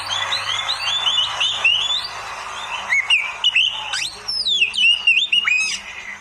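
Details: Oriental magpie-robin (kacer) in a masteran recording for beginners: varied whistled phrases, rising and falling sweeps with sharp upslurs and quick chattering notes in a continuous lively string, a faint low hum beneath.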